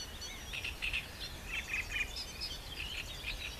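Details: A green sandpiper at Roszków on 7 June 2012 gives a quick run of bright, high whistled notes in short bursts, with a low rumble of background noise beneath.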